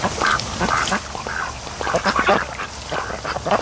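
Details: Short, soft quacks repeated in uneven bursts from a group of raised ducks spending a lazy afternoon at the mouth of a creek on a lake, with a faint background hiss.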